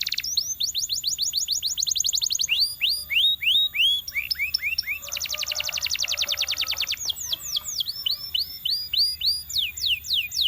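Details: Belgian canary singing: quick runs of high downswept whistles, then slower looping upslurred notes, a dense buzzy trill in the middle, and more repeated sharp swept notes at the end, all high-pitched and bright.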